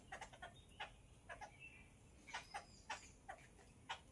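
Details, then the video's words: Several Yellow-billed babblers (Chitala Pakshi) give harsh, squeaky chattering notes in short irregular bursts over a soft background hiss. "Yellow billed babbler/ Chitala Pakshi"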